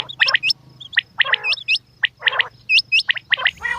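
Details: Calls of a female quail: quick hooked whistles mixed with gravelly, gargling bursts, repeated roughly once a second over a steady low hum.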